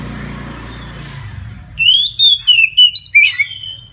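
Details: Oriental magpie-robin in full 'ngeplong' song at midday, used to prompt other magpie-robins to sing: after a quiet low hum, loud clear whistled phrases start near 1.8 seconds, sliding and wavering, then a run of rapid chirpy notes.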